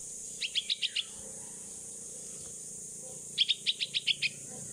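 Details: Young hand-reared bulbul (pulangga), 16 days old and learning to fly in the open, begs for its mother with two rapid bursts of five or six shrill chirps, a two-second gap between them, against a constant high insect drone.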